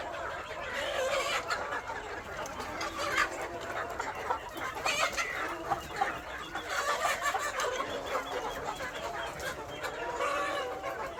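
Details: Flock of KUB native chickens at an Aceh Besar farm, continuous overlapping chatter and clucking from many birds, with occasional louder drawn-out calls standing out from the busy background.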